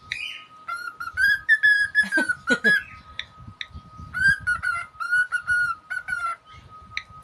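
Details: Pet cockatiel whistling a run of bright, slightly buzzy notes in quick phrases, pausing, then repeating the sequence; a steady background hum runs throughout.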